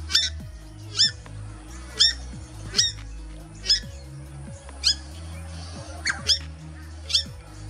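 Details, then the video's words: A family of purple swamphens in Australia on 10 March 2021 gives loud, harsh squawking alarm calls, about one a second, warning its teenage chicks of a red-bellied black snake that struck at a bird. "the family of a Purple Swamphens alarming its teen chicks about the predator"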